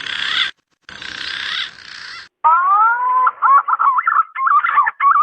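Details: Male green pigeon calling to a female, recorded as a lure: two harsh, noisy bursts open, then a rising whistled note gives way to wavering, up-and-down whistles in quick succession.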